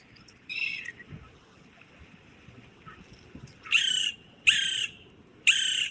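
West Indian Woodpecker giving loud, harsh, nasal squawks, one about every second, with a fainter call at the start.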